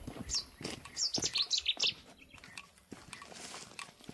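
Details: European bee-eater at Izliv Soče nature reserve, Slovenia, on 14 June 2024, giving a quick run of about eight short, bright, rolling chirps over one second, then quiet, with soft patter and faint rustling beneath.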